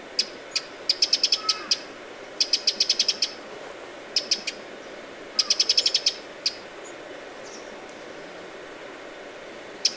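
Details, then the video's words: A Eurasian wren on the shore of Lake Vänern, Sweden, in late July 2017 gives alarm calls: hard, dry ticking notes in quick bursts of three to eight, repeated every second or two, over a steady soft background hiss. "TROGLODYTE Mignon/Cris/Alarme/Alerte !"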